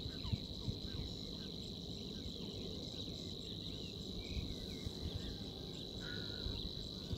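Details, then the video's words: Savi's warbler at Waterland, 7 May 2019, gives a steady, low, insect-like reeling trill without a break, while other small birds chip faintly and low wind rumbles underneath. "Snor, Savi's warbler"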